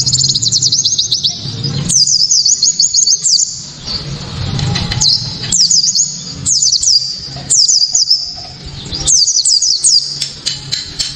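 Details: Japanese white-eye singing a hard, clear 'tembakan' to provoke rival white-eyes into song: bursts of rapid, very high jingling notes roughly every two seconds, each lasting about a second, separated by short quiet pauses.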